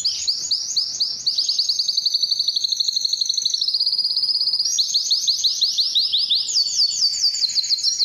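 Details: Singing canary, song to draw females for mating; long high trills of rapidly repeated syllables, one steady buzzy roll in the middle, then brighter quick trills shifting higher toward the end.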